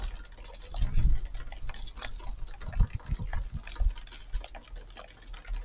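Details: Muffled low thuds and rumbling bumps, like handling or wind on the microphone, with no bird calls heard.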